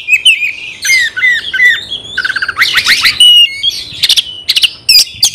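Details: Caged Oriental magpie-robin singing to provoke rival males into fighting; sweet down-slurred whistles give way to harsh buzzy bursts and clicking chatter, loud and energetic.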